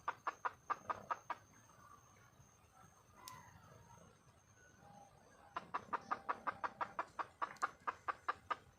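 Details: Red junglefowl hen in the wild calling to attract a male, giving runs of rapid, evenly spaced clucks, a short run, a quiet gap of several seconds, then a longer burst of about fifteen.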